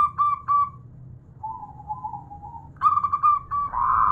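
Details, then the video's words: Local female zebra dove calling a male: short staccato cooing notes near one pitch, then a softer drawn-out lower coo, followed by another rapid burst of clipped notes and a louder swelling note at the end. "VARIASI SUARA Perkutut Lokal Betina Memanggil Jantan"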